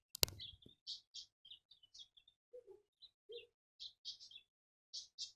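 A Diederik cuckoo sings a string of short, high whistled notes in quick bursts, with a few lower soft notes and a sharp knock at the start.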